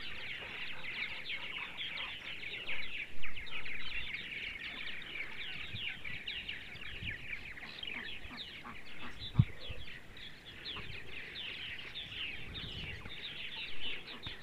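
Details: A sunny Sunday morning in central Ohio with purple martins keeping up a rolling, croaky chatter of quick overlapping notes, punctuated by several low bumps and one sharp knock.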